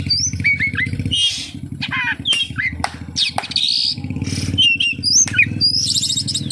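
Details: Kacer, the oriental magpie-robin, in a song packed with kapas tembak mimicry: varied short whistles, slurred notes and scratchy bursts, with a motor droning low underneath.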